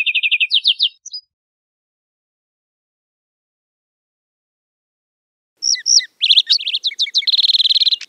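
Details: A lark sparrow sings outdoors: a brief fast trill, about four seconds of silence, then a fresh phrase of chirps and slurs that runs into a long, even, rapid trill.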